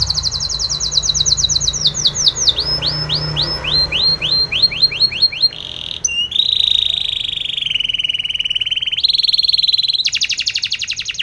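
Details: A Spanish Timbrado canary sings for training, running descending whistled slurs at a quick steady pace, then switching into sustained buzzy trills at different pitches separated by brief breaks.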